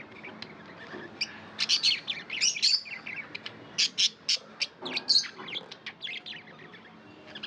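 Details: Budgerigars kept as pets chirp in a string of short, bright high notes, several evenly spaced sharp tweets in the middle, with softer warbling between.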